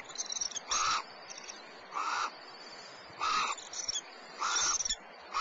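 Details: Barn owl at Starr Ranch as the male returns to the nest with breakfast, dated 3.1.11, giving four harsh, hissing screeches, each about half a second long, roughly one every second, over a faint background hiss.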